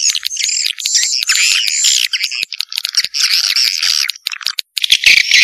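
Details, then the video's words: Swiftlet calling sound in the Vietnamese janda style: fast, raspy chattering and clicking chirps in irregular bursts, with a short sharp whistled note near the end. "SUARA WALET JANDA VIETNAM"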